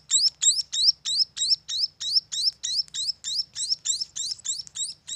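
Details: Young munias, farm-reared, give rapid high chirps in a steady run, each a short upward-bent squeak repeated roughly three times a second with no break.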